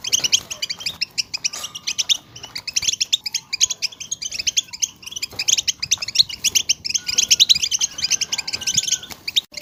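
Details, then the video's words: Group chatter of European goldfinches to stimulate singing: continuous busy twittering of high chirps, with occasional faint thin whistles in the background. "بتبتة حسون جماعية ضرورية لتهييج وتحفيز طيور الحسون على التغريد"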